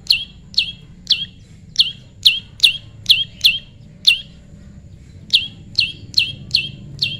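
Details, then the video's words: Prinia pairing in the wild: roughly sixteen bright, high chirps, each a quick downward flick, in an uneven series broken by a pause of about a second. "prenjak lumut jodohan alam"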